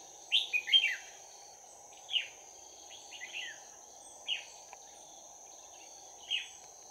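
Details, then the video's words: Fighting song from a trapped decoy red-whiskered bulbul: a quick cluster of sharp whistled notes, then single short chirps spaced about two seconds apart, with a constant high-pitched hum behind. "Bẫy chào mào Giọng chuông đấu giáp lá cà"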